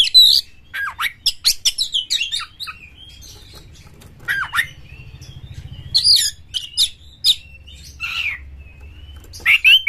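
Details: Champion Oriental magpie-robin (kacer) singing energetically with full emotion and an open tail, used as a lure to provoke other magpie-robins: scattered harsh buzzy bursts mixed with short whistled slurs, a low hum underneath.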